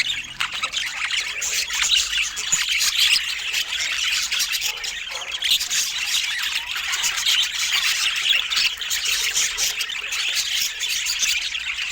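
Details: Several budgerigars calling while feeding, a steady unbroken wall of high, scratchy chirps and warbled squawks that runs the whole time with no pauses.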